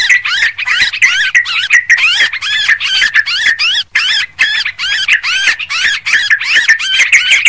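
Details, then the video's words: Yellow-vented bulbul in a noisy lure recording, giving a continuous stream of rapid rising-and-falling warbled notes, tightly packed with hardly a pause. "suara pikat burung trucuk ribut"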